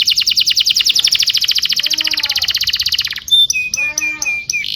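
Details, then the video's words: Domestic canary singing tutor song used to train young canaries: a fast trill of rapid repeated notes around four kilohertz, then bright whistled notes with a lower buzzy rattle underneath. "PANCINGAN KENARI GACOR DURASI PANJANG UNTUK MASTERAN KENARI PAUD BELAJAR BUNYI DAN GACOR"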